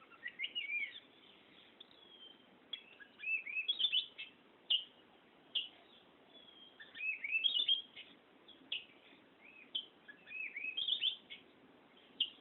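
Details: White-rumped shama singing a long rolling song: varied sweet whistles and fast warbled phrases in bursts every two seconds or so, with quiet gaps and faint background hiss.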